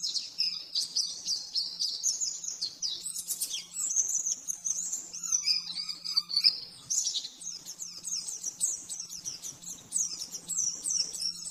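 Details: Oriental white-eye master song for training caged birds: rapid high twittering phrases with trills and a few buzzy rattles, long unbroken flow, faint low hum beneath.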